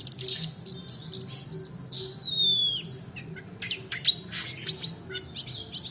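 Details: Shrike lure recording of the long-tailed shrike's roll song for training other birds: quick stuttered notes, then a long drawn, descending whistle, followed by sharp scattered chirps.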